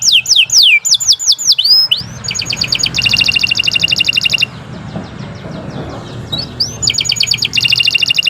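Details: Canary song recorded as training material for other cage birds: sharp descending whistles, then a chattering rattle-like trill and a dense buzzy roll, with steady background hiss and low rumble behind the bird.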